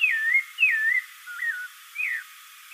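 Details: Spectacled thrush: four mellow whistled phrases, the first two long descending slurs, then a lower wavering note and a short falling whistle.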